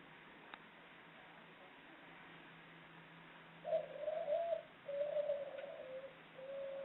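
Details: Ringneck dove hen, Indonesian breeder's bird, calling in the ngelik ngluguk style: after quiet, two soft rolling coos and the start of a third, over faint background hiss.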